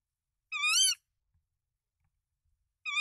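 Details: At a Danish nest holding three eggs, recorded 24 March 2024 on a nest camera as the male brings rodents to the female, a tawny owl gives two rich, harmonic calls with a rising-then-falling wavy contour, half a second each, two seconds apart.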